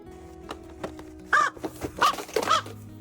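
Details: Poe, a rescued raven that can no longer fly and has a special greeting for people he knows, gives three short, hoarse, croaking calls about half a second apart, possibly his hello, over soft background music.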